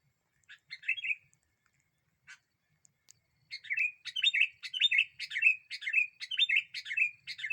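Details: Sooty-headed bulbul singing as a lure bird that agitates other birds: a few scattered notes, then a steady run of short, bright, bubbly phrases, each a quick rising-falling flourish, repeated about twice per second with a faint low hum beneath.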